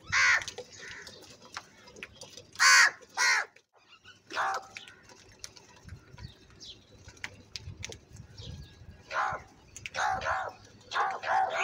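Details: Angry crow calling very loudly: hoarse, rasping caws in irregular groups, a pair of strong caws near the start, a pause of low rustling, then a quick run of caws at the end.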